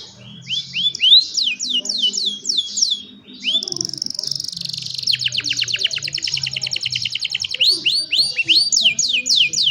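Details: Young canaries singing for other canaries to learn from, recorded by cellphone: bright rising and falling whistled phrases, a brief pause, then a long rapid buzzy trill before looping whistled notes return.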